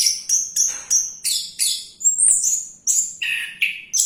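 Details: Orange-headed thrush that keeps singing during its bath. It delivers quick, high, varied phrases about three times a second, mixing shrill whistles and scratchy notes with a few lower, fuller phrases near the end.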